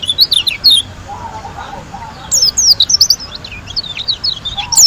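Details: White-eye from Lombok giving a short burst of high, looping whistled notes, a quieter gap with low chatter, then a rapid tumbling run of squeaky twitters and zigzag slurs.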